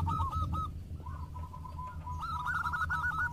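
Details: Local zebra doves in a lively singing exchange: rapid, bubbling coo phrases trade off against a heavy low-pitched background rumble, with a dense quick series at the close.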